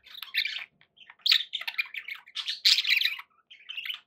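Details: Pet budgies chatter in lively bursts of buzzy warbling and sharp chirps, three loud phrases separated by short pauses.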